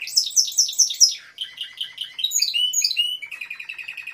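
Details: High, falling notes from a Timbrado canary repeated in quick succession, then lower chirps, then rising whistled slurs, ending in a short rapid rolling trill.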